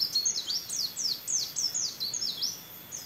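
A white-eye sings fast, high, tumbling notes: a run of sharp, falling sweeps several per second that echo a canary's rolling song, over a faint background hiss.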